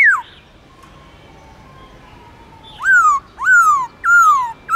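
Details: Long slurred forest-voice song of a black-throated laughingthrush, used to get wild-caught birds singing: an opening downslur, a quiet stretch, then three loud drawn whistles, each falling gently.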